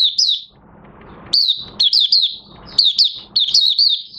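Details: Oriental white-eye, new white feathering almost complete, beginning song on 30 August 2022: a brief high slur, a pause, then quick successive runs of sweet downward-sliding chirps.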